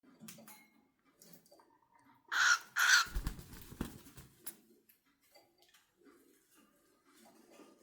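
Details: Cockatiel (Nymphicus hollandicus), call.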